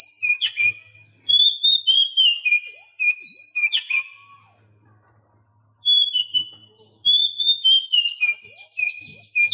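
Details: Oriental magpie-robin song for tutoring captive birds that stay silent; clear whistled phrases dropping in steps, with sharp accents, in two long runs split by roughly a second and a half of quiet.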